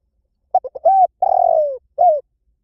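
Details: Spotted dove, cooing all day to train decoy birds, gives one full phrase: quick short hoots leading into a long, gently descending, pulsing coo, then a brief closing coo, with no other sounds.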